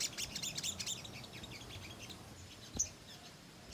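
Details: Ruby-cheeked sunbird in rapid, continuous chattering song used as a lure to make other sunbirds respond: dense high twittering notes in quick bursts through the first half, then thinner sharp chips.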